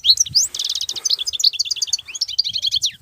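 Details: Short excerpt of continuous wild European goldfinch song with batbatat notes: rapid, cheerful tinkling notes and buzzy stuttering trills, with upward-swept whistles running almost without a break.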